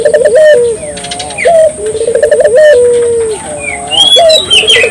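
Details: Barbary dove song used to stimulate local doves to sing: rolling, throbbing coos, each ending in a long, level, falling note, delivered in close succession while other small birds chirp and whistle higher up.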